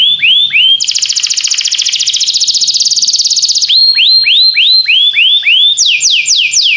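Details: Canary singing a loud, continuous song: rising whistled slurs, then a fast trill buzzing for about three seconds, followed by more drawn-out rising and falling whistles and a quick descending series at the end.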